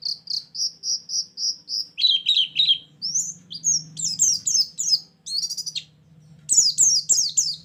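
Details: White-eye song played as a trapping lure: a series of steady repeated chirps, then lower rapid notes and high slurred whistles and trills in bursts, a brief pause, and renewed chattering over a faint low hum.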